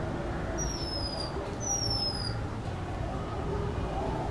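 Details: Female Oriental magpie-robin singing in a backyard in West Bengal, India: thin, very high whistles, each sliding gently downward and lasting about half a second, four in a row, over a constant low rumble of traffic and background hum.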